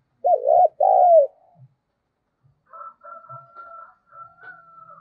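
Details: Spotted dove coos meant as a lure to provoke calling: two loud, throaty coo phrases in quick succession, followed by a faint steady higher tone with soft low thumps in the background.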